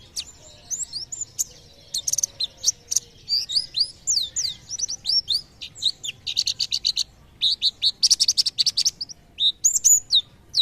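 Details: Lively white-eye song believed to provoke nearby birds to sing: dense high twittering with fast buzzy trill segments and upswept whistles, nearly nonstop.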